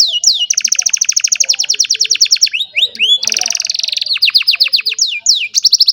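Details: An old canary sings on a sunny morning, recorded on a cellphone: a long, loud run of rapid repeated descending whistled notes, fast trills and rolling phrases, with brief changes of pace and sweeping upward notes.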